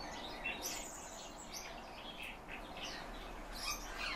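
Calandra lark singing a fast, continuous jumble of chirps, trills and scratchy notes high in pitch, over a steady background of wind-like noise.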